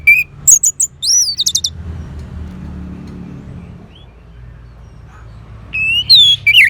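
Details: Orange-headed thrush singing in two bursts of high trilled and sliding whistles, separated by several seconds of near silence with faint low rumble, ending with warbling wavering notes.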